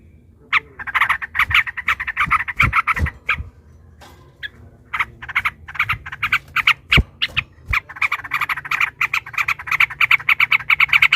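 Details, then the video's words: Sooty-headed bulbul singing in a long, lively run, provoked by hearing a rival; rapid bursts of bubbly notes repeated in quick series, with a pause near the middle before the chatter resumes. "trucukan ropel panjang TARUNG PANCINGAN TRUCUKAN agar bunyi jadikan burung trucukan gacor EMOSI"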